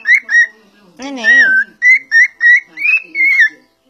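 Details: Pet cockatiel vocalizing: a string of short clear whistled notes, one longer wavering nasal phrase like mimicked speech in the middle, then more chirpy whistles with rising and falling slides.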